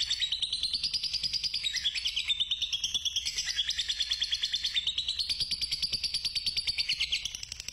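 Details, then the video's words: Long 'ngekek' song of a fighter lovebird, played to stimulate other lovebirds: an almost eight-second stream of rapid, even, piercing chirps whose pitch dips and rises in waves before fading at the end. "Suara Pancingan Burung Lovebird Fighter Ngekek Panjang"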